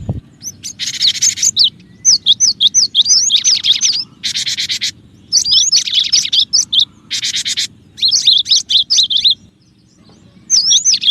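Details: Lure recording of a loudly singing cinereous tit meant to draw other birds: rapid slurred whistles mixed with dense buzzy rasping bursts, delivered in stuttering phrases with short gaps.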